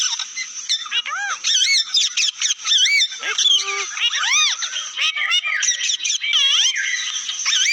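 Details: Noisy parrot vocalizing: dense arched squawks and nasal, honk-like calls mix with quick whistles and chirps in an unbroken, jumbled stream.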